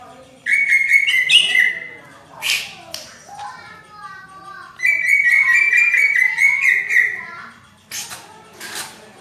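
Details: Cucak ijo (greater green leafbird) singing hard in the dense 'rapet' style compared to a kacer, for tutoring: two long fluid whistled warbles separated by loud chips and softer notes.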